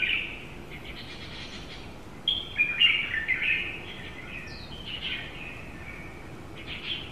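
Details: Female Asian koel in Tainan, Taiwan: a bubbling, chattering run of quick high notes that rises in loudness midway and then fades into scattered calls, with constant background hiss.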